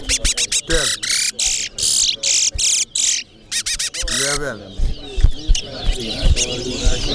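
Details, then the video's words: Towa towa bird in a Corriverton singing competition between two birds; fast bursts of high buzzy and trilled notes repeated in quick clusters, then softer scattered chirps as voices and crowd noise rise in the background. "CORRIVERTON TOWA TOWA BIRD SINGING COMPETITION"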